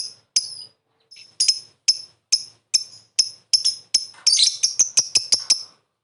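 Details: Lovebird lure recording, calling and then chattering (ngekek) to provoke a reply. Sharp, very high single chirps spaced about half a second apart speed up into a dense, rapid, harsh chattering run near the end.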